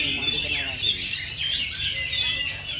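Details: Kacer, the Oriental magpie-robin, in steady song: an unbroken stream of bright, high warbled phrases with fast rising and falling sweeps and scratchy chatter, loud and sustained throughout.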